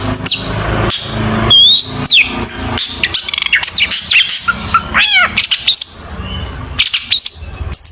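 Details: Long-tailed shrike song full of 'isian' filler phrases, used as a lure to get other shrikes singing: a varied medley of upslurred whistles, steep downward sweeps, harsh chatter and squeaks in quick succession, with a low hum underneath.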